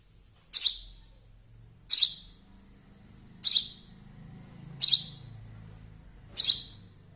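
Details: Young sparrow chirping: five short, high, piercing chirps spaced roughly every one and a half seconds, steady and clean, with faint low rumble beneath.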